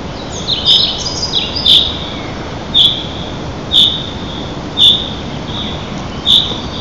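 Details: Sea eagles at a nest in Lower Kama National Park, Russia, 5 May 2023 at 05:17 (dawn), give thin, high yelping notes, each short and sharp, about once a second over a steady low hiss.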